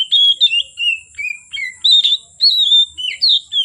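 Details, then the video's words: Oriental magpie-robin singing prolifically from afternoon until dark: bright whistled phrases, some falling, some rising, in quick bursts with short pauses, over a steady thin high-pitched whine. "Kacer Gacor Sore Sampai Gelap Malam tetap Bunyi Gacor"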